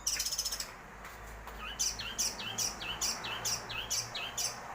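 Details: A long-tailed shrike delivers a rapid, buzzy high rattle, then a regular series of short, hooked whistled notes, about three per second, over a constant background hiss.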